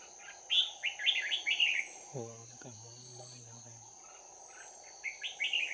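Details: Fighting-song bursts of a red-whiskered bulbul during trapping, recorded 11 January 2019: quick runs of bright chirpy whistles at the start and end, a low human voice in between, with a persistent insect whine behind.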